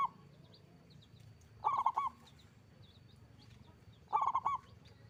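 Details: Loud-voiced local zebra dove in full song: repeated bubbling coo phrases, each a quick run of three to four rounded notes, spaced about two and a half seconds apart, with steady low background noise.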